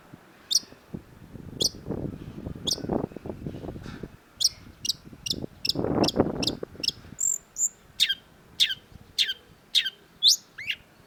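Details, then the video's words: Long-tailed shrike (cendet) in a clear tutor recording for songbird keepers: sharp, high downslurred chirps repeated about once a second, with a pair of brief whistles midway and a low rumbling murmur through the first half. "cendet gacor MASTERAN CENDET SUARA MENGGEMA JELAS || Long-tailed Shrike"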